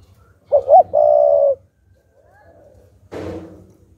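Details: Single full coo of a decoy spotted dove provoking wild doves: two brief rising notes, then a sustained even coo, followed by a sharp thump later on.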